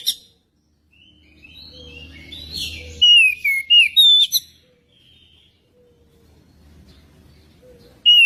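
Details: Magpie-robin, played to prompt a magpie-robin to sing, gives a short burst of bright falling whistles with soft chatter and a low hum, then near-quiet, then a final sharp whistle.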